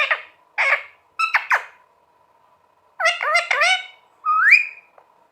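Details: Indoor pet green parrot that talks: a series of short harsh squawks, then a burst of rapid harmonic notes and a final rising whistled phrase.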